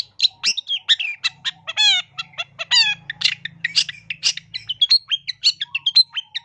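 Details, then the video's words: Lively long-tailed shrike masteran with varied filler phrases, used for lure: a dense, rapid stream of squeaks, chattering notes and a couple of nasal harmonic squawks, with a faint low hum in the middle. "MASTERAN CENDET GACOR FULL ISIAN ISTIMEWA COCOK BUAT PIKAT BUNYI MASTERAN TERAMPUH"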